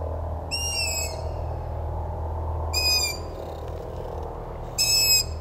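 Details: Young Long-eared Owls in Germany beg in late spring and summer with high, thin squeaky calls like a creaking gate, one every two seconds or so, over a low steady rumble.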